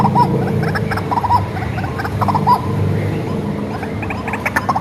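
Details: White-breasted waterhen reared by hand from a young age, a lure recording: gruff repeated croaks and clucks, some doubled, partly buried under a heavy low hum and steady background noise.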